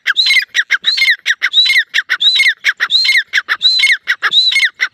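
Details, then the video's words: A female desi grey francolin (teetar) gives loud, harsh, squeaky notes, repeated steadily about every two-thirds of a second, with sharp clicking sounds between them. "Female teetar sound"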